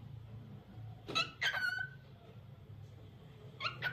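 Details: Lutino cockatiel chirps, two quick rising notes then a sustained, slightly wavering downward whistle, and a last pair of short chirps near the end, above steady low background noise.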